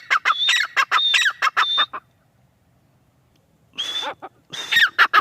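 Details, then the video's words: Shrill repeated phrases from a female grey francolin, each a high whistle followed by harsh squawks. The calling breaks off into nearly two seconds of silence, then resumes more loosely. "teetar ki awaz | teetar ki boli | gray francolin teetar voice | female teetar sound"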